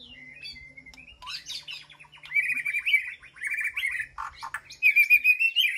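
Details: White-rumped shama calling to its flock in an aviary: soft level whistles, then loud scratchy, buzzy warbled phrases mixed with clear whistled notes, varied and continuous.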